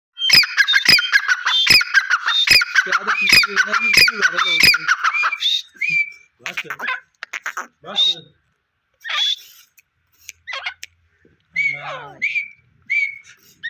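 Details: Deccani partridge giving a run of harsh, grating squawks for about five seconds, then thin high whistled notes and scattered chirps between pauses.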